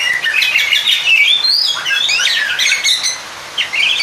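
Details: Oriental magpie-robin singing to call out a rival. A dense, continuous run of rich whistles, slurred sweeps and chattering notes fills nearly the whole stretch, dipping briefly near the end before a final bright phrase.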